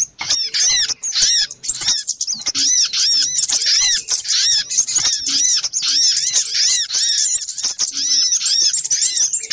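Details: Frantic chorus of little spiderhunter calls used to lure birds, a long, near-continuous stream of sharp, high, chattering chips and squeaks in quick succession.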